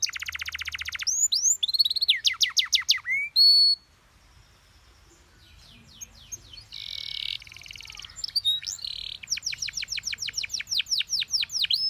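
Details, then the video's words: Tutor recording of a canary for young birds to copy: fast high trills, a sudden drop to near silence, soft buzzy notes, then a long run of loud, evenly spaced trilled notes. "MASTERAN KENARI PAUD CENGKOK ENAK GAMPANG DITIRU"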